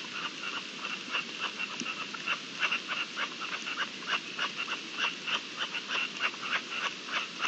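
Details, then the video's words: Partridges calling during the mating season, recorded 27 April 2021: a fast run of short rasping pulses, roughly three per second and somewhat irregular, over a steady high hiss of insects or background noise. "Celo de perdices"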